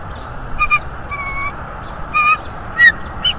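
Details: Bald eagles at the nest, seen on a nest cam on 11 January 2023 while both birds refuse to mate and work on the nest; short harmonic squeals and one longer level whistle, loose and uneven, above a low hum.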